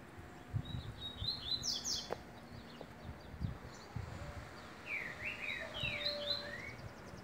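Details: A green-winged saltator sings two short bursts of rich, slurred whistles with rising and falling notes, over low thumping background noise.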